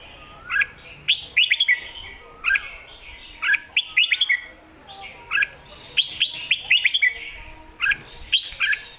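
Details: Red-whiskered bulbul singing lively in the master-song style called mae bot sap krajai: short bright whistled phrases, each with quick rising and falling slurred notes, repeated roughly every second over a faint background hiss.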